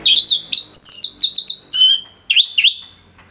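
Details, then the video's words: Captive orange-headed thrush singing loudly for training other songbirds: a dense chain of ringing whistles and rising slurs with quick stuttered notes, nearly continuous across the clip. "ANIS MERAH Gacor Suara Rapet Bagus Untuk Memaster Burung Punglor"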